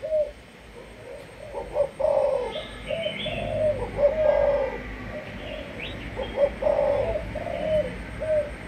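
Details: Malaysian-type spotted dove, a decoy bird with sấm thổ cooing: soft, measured coo phrases of several hollow notes, steadily repeated, with scattered thin chirps from smaller birds behind.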